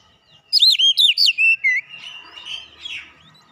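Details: Fighter-character Oriental magpie-robin used to train a young untrained bird: a quick series of six loud looping whistled notes, followed by softer fading warbles.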